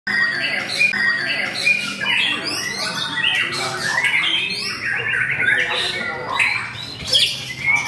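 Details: White-rumped shama (murai batu), a caged debut bird competing in a songbird contest and reaching the podium; dense, overlapping whistled phrases and rapid trills from several contest birds, with sharp high notes throughout.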